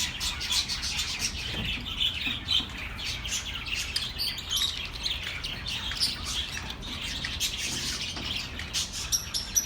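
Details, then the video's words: Continuous high-pitched chirping from many birds, aimed at comforting lonely pet birds; short tweets and a few squawky notes blend into a dense, even chorus with no pauses. "The best relaxing birds sounds for your lonely birds"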